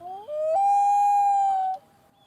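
A Common Loon gives its wail: a pure, mournful tone that climbs in two quick steps, then holds steady for over a second before breaking off.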